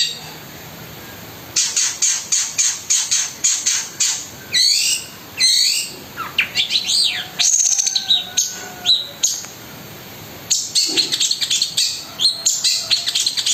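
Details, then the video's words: Fast 'roll speed' shooting bursts from a long-tailed shrike (cendet): rapid strings of sharp high ticks, interrupted by looping whistled sweeps and a few level tones, then more machine-gun rattles. "BURUNG CENDET GACOR MEWAH ISIAN KASARAN DAN TEMBAKAN ROLL SPEED"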